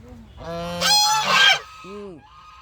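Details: Duck calling in a few short nasal quacks with stacked harmonics, one louder harsh burst in the middle and an arched quack near the end, quiet background.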